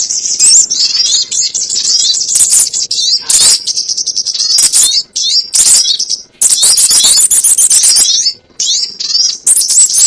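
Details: Sogon sound used to lure birds into traps: high, shrill twittering bursts of rapid chattering notes, broken by gaps of up to a second.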